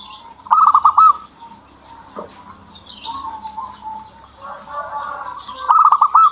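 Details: Owner's zebra dove starting to sing: a short rapid stutter of bright coos, a quieter murmuring stretch with distant chirps, then another stuttered cooing burst at the end.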